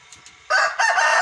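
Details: Rooster crowing loudly at close range, a harsh, strongly harmonic cry in two bursts, the second starting about a third of a second after the first and running to the end.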